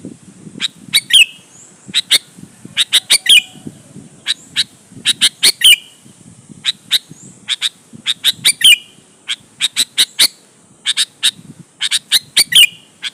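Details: Persistent sooty-headed bulbul song meant to dominate rivals and draw answers: dense, rapid series of harsh chirps and chatter with occasional downslurred notes, nearly continuous, with faint low background noise.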